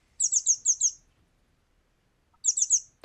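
A pipit gives very high, thin, sharp notes: a quick run of five, then after a pause a run of three.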